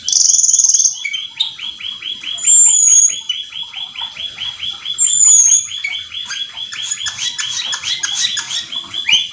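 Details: Cucak keling singing nonstop at full intensity, packed with fast fill-in phrases meant to provoke other cucak keling into singing; dense rapid chattering notes repeat steadily throughout, broken by a loud opening whistle and two high clear whistles.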